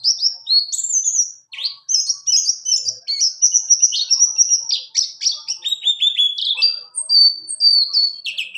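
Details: High, fast white-eye song of the buxtoni type in rolling 'ngalas ngerol' style, for training other birds: a long unbroken stream of sharp chirps, short whistled bars and descending trills, clean and without other noise.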